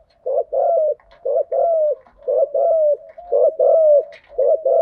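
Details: Spotted dove lure coos, male and female voices in 'thúc gù, gáy gọi' patterns: low mellow coos repeated in steady pairs, a short note then a longer one, roughly once a second.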